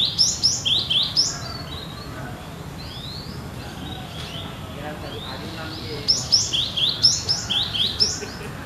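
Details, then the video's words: A Cinereous tit sings bright, high two-note phrases, about two per second, in two bursts separated by a quiet pause, over a soft low hum. "Gelatik Batu Gacor"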